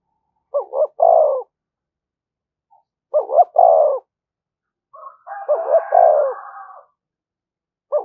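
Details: Provoking call of a spotted dove: soft two-note coo followed by a drawn-out falling croo, repeated every two to three seconds, the third phrase overlapped by a higher, nasal, sustained call from another bird.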